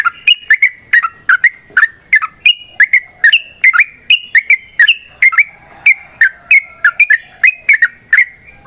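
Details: Rapid fighting-type song of a yellow-vented bulbul used as a tutor and lure: steady series of liquid, doubled chirps, some rising and some dipping, roughly three per second throughout, with a faint steady high tone.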